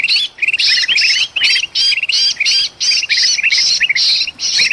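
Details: Agitated bulbuls in Sumatran forest with a trapped bird, a lure sound: regular harsh squawking bursts, each tailed by bright upward chirps, roughly two bursts per second.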